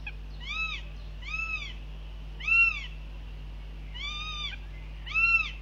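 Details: Northern goshawks at a Latvian nest on 9 June 2021, as the adult male drops in during the young's breakfast and is told off, give five rising-and-falling wailing cries, each under half a second, about every second, over low hum.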